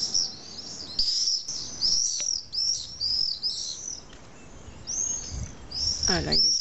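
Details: Common swifts at a Nice, France colony of about twenty pairs nesting in retaining-wall weepholes, July evening around 21h when pairs return to roost: shrill, rapid overlapping screams from several birds, brief low sound near end.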